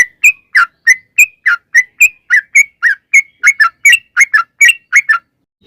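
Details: Bright whistled chirps of a trucukan, or yellow-vented bulbul, in long-rolling 'ropel' song for provoking kept birds: clean separate notes, alternating higher and lower, roughly three per second, growing denser near the end.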